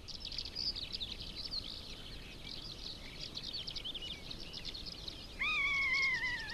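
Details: A long-legged buzzard at its nest in Kalmykia, in a nature reserve, gives one drawn-out, mewing call that slurs slightly downward near the end, after several seconds of busy twittering from small songbirds.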